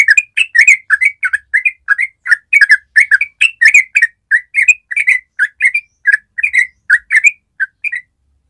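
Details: Loud, close yellow-vented bulbul song in the long rapid 'ropel' style: an unbroken chain of sharp, bubbling whistled notes, several per second, with crisp high overtones. The background is clean.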